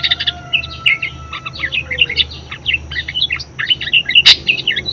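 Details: Budgerigar singing continuously, a lively chatter of high, rapid, squeaky chirps and trills with one sharp click late on; the bird's song is used to stimulate and teach other birds to sing.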